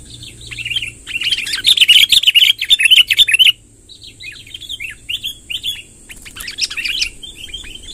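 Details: Sooty-headed bulbul song, a long rolling phrase gathered to draw in wild birds: dense bursts of bright chirpy notes, loudest in the first half, then scattered shorter warbled notes, over a steady high hiss.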